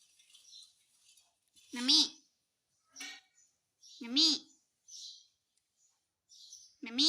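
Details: Pet parrot talking in Hindi, asking mummy for roti: three loud, voice-like phrases with rising and falling tone, spaced about two seconds apart, separated by softer hoarse bits and silence.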